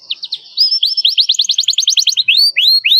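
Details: Canary singing to call a rival, meant as a lure for young canaries learning to sing: a few high chips, then a quick run of repeated upswept notes, ending with loud rising hooked whistles.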